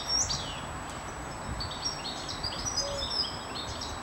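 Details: European goldfinches singing in a park at Aguadulce, Almería, on 24 April 2013 between 1 and 2:30 in the afternoon; quick, twittering high chirps and trills repeated throughout over steady background noise.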